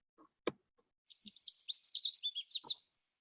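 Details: Canada warbler song with many sections, played back as a quiz: a single click, then a rapid, tumbling jumble of high warbled notes lasting over a second, followed by one last sharp note.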